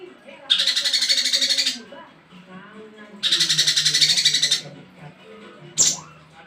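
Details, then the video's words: Male cungko in full, richly varied song, kept as a tutor bird: two dense buzzy rattling bursts of about 1.3 seconds each, separated by a pause, then a brief sharp note, with faint low talking underneath. "BURUNG CUNGKO JANTAN FULL ISIAN MEWAH COCOK BUAT MASTERAN"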